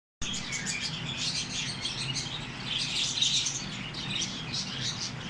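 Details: Small Australian parrots chattering together: a dense, continuous mass of high twittering and chirps with no pauses, over a low background hum.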